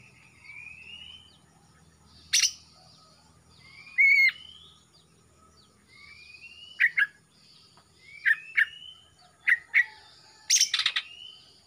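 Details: Greater green leafbird from Kalimantan, a young male just out of spotted plumage with black coming in on the throat, delivering rising whistled slurs. Each is followed by quick sharp notes, with scratchy bursts between phrases.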